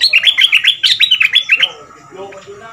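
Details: A southern Thai Red-whiskered bulbul kept as a decoy to teach young birds, 'double' style, two months caged: a loud, rapid run of bubbly whistled notes lasting under two seconds, then quiet room noise.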